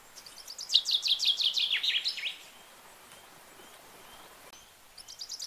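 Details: Common chaffinch singing gently: one bright, rapid phrase of repeated notes that falls in pitch over about one and a half seconds, ending in a short flourish. A new phrase begins faintly near the end.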